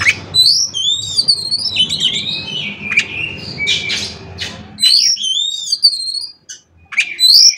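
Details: Oriental magpie-robin with 'isian konslet' fill, intended to make other magpie-robins sing; looping high whistles and mixed chatter over a low hum, then a short pause and renewed bright whistled phrases.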